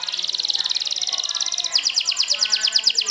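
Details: Champion canary in the sobek style, trilling to provoke rivals: rapid steady high trill about a second and a half long, switching to slightly slower, louder swept notes repeated several times a second.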